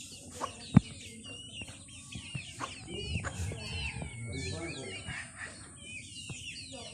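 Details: Chickens calling while they eat: a dense stream of quick, high, twittering chirps with bending pitch, a loud tap near the start, and softer low clucking sounds in the middle.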